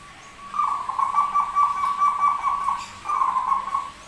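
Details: Zebra dove described as rare, with an unusual voice yet singing constantly: a long, rolling, trilled coo lasting about two and a half seconds, then a shorter similar phrase after a brief pause, with a faint steady hum behind.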